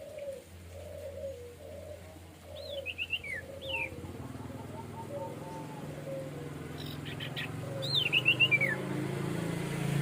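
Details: Orange-headed thrush, song in a relaxed, open style known as plong santai: short whistled phrases, the first slurred downward and a later one warbling and descending, over steady low hum and soft low cooing.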